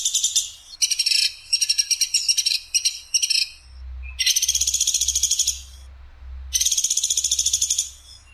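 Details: Clear, harsh calls of a platuk sampit woodpecker. A choppy series of short rattling bursts comes first, followed by two longer, smoother buzzy rattles about two and a half seconds apart.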